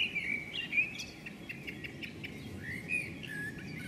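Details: Female common blackbird scolding on a house roof before flying off: a run of sharp, dry clicking notes about four per second, mixed with thin high chirps, over a low background rumble.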